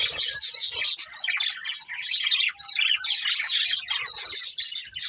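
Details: Several budgerigars chirp in a busy flock chorus, overlapping bright trills and harsh chattering bursts that pulse every half second or so, with a faint low murmur underneath.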